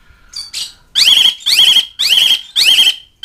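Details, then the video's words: Asian pied starling calling out to mates and rivals, giving loud harsh rasping calls, each ending in a level whistled tone, repeated in a steady series about twice a second after two softer opening squeaks. "NADA KICAU CALLING JALAK SUREN MEMANGGIL LAWAN"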